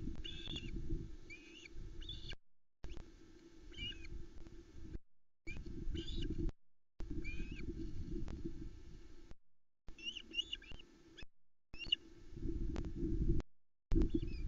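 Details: Osprey chicks, three on the nest at Loch Arkaig, 19 July 2020, as an adult brings a whole trout and they squabble over it. Short whistled chirps come in small bursts over a heavy low rumble of wind, with the recording cut into segments.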